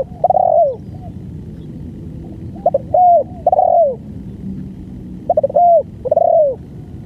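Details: Spotted dove delivering a long-duration song of repeated phrases, each a burst of stuttered notes and arched coos with long falling coos. Roughly a phrase every two to three seconds, over low steady hum.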